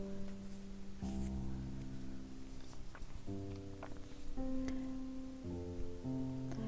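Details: Gentle plucked guitar music with sustained low notes changing roughly every second, and no animal sounds.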